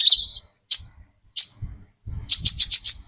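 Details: Brown-throated sunbird lure song, recorded clean: a sweeping twitter, two isolated sharp high chirps, then a rhythmic series of six pulsed high notes over faint low thumps.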